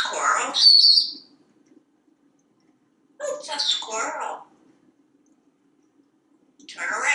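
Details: A very talkative African Grey Parrot, a male hatched in 1997 and kept indoors in Texas, perched on a kitchen faucet, utters three bursts of parrot speech, buzzy and nasal, separated by quiet pauses.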